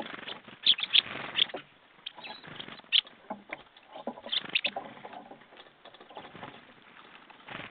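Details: Jackdaws recorded on 21 February 2014 at 10:50: several short, sharp calls in clustered bursts over a dense, scratchy rustling background.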